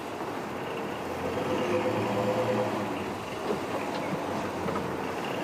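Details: Steady broadband rumble with a continuous low hum, like a passing train or vehicle in open country at sunrise, with no animal calls standing out.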